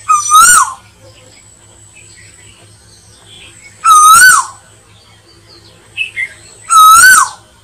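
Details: An Asian koel call used as a lure for slingshot hunters: loud, ringing two-part notes, each sliding up and then dropping, repeated roughly every three seconds, with faint background chirps between them.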